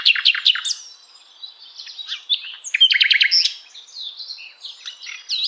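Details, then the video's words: A common nightingale (sikatan londo) delivering quick varied phrases: loud stuttered clicks, warbling twitters, a burst of rapid repeated notes and high sliding whistles, all in close succession. "Common Nightingale,sikatan londo relaxing"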